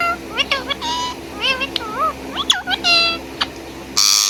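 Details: Indian ringneck parrot whistling and chirping: a run of bright, wavering, harmonic notes that bend up and down, short sharp chips, and a harsh burst at the end over a steady low background hum.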